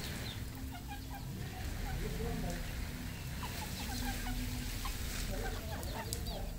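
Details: Red junglefowl on a farm in Cambodia cluck in short, scattered, overlapping notes from several birds over a steady low rumble, with faint voices underneath.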